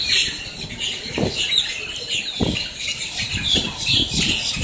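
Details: Noisy blackbirds up close in Miami, Florida: a constant wash of high, harsh squawks and chattering calls from many birds, broken by several sharp low thumps, some in quick succession near the end.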